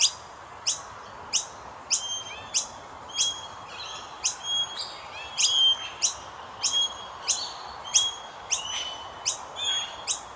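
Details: Common myna babies calling as they are fed: rapid, evenly spaced high chirps with ringing tonal overtones, about two per second, occasionally doubling into quick pairs, against quiet hiss.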